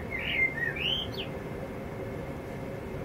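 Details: Male blackbird in a home yard, singing quietly to himself: one short, fluty warbled phrase of sliding whistled notes that rises at the end, with steady low background hum.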